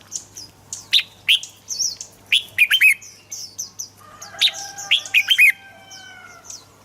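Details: Red-whiskered bulbul song meant to get birds singing: a run of rich slurred whistles and quick chirps, roughly every half second, with thin high notes from other birds.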